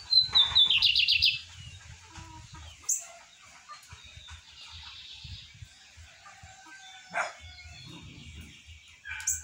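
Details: Morning song of a breeder's lined seedeater near 8:30: a whistled slide into a loud rapid trill opens the phrase, followed by sparse soft notes, a short buzz and a few sharp calls.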